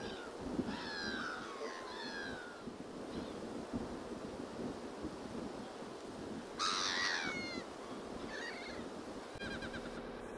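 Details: Grey Plover in autumn (5 October) at Saint-Armel, Gulf of Morbihan, Brittany, giving a few slurred, plaintive whistles, some falling in pitch, in short bursts over a steady rush of wind or surf.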